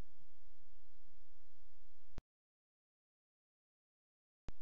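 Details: Low hum and hiss, then an abrupt click into total silence for about two seconds before the hum returns with another click.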